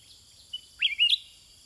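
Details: Sooty-headed bulbul in a singing exchange with wild birds: a brief note followed by one bright, upswept, two-part warble, with a high continuous insect sound in the background.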